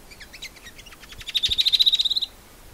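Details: Shining sunbird from dry desert woodland of Africa or Arabia: a few soft, scattered high notes build into a fast, bright, level trill of about a second before stopping abruptly.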